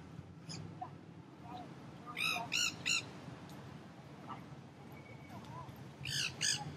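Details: Wild feral Nanday parakeets, a noisy flock feeding in crape myrtle trees in downtown St. Petersburg, Florida: harsh, grating screeches in short bursts of three or four, with fainter calls between, over a steady low rumble.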